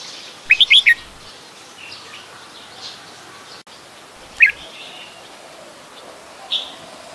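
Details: Red-whiskered Bulbul, an adult, at Ubon Ratchathani, Thailand, on 16 December 2020: a quick burst of four bright chirpy notes, then a lone chirp and a softer note seconds later in a quiet setting.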